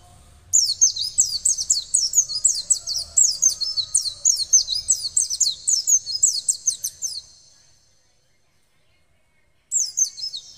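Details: Oriental white-eye (pleci) in song training, responding at once; a long run of high, fast warbling whistles with rising and falling slurs lasting about six seconds, a silent gap, then the song resumes briefly.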